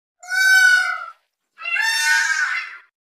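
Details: Peacock giving two loud, nasal, harmonic wailing calls, each about a second long and held at a steady pitch, separated by a short pause, with silence around them.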